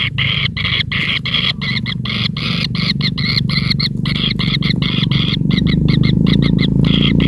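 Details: Kingfisher chick begging as its mother brings large rats one after another; rapid rasping notes continue throughout while a low rumbling noise grows steadily louder.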